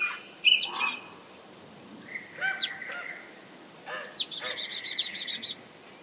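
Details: Red kites, three of them chasing each other in early morning sun, called in by whistling at a hide: thin, high whistled notes that waver and break into a quick quavering trill, in short bursts with gaps.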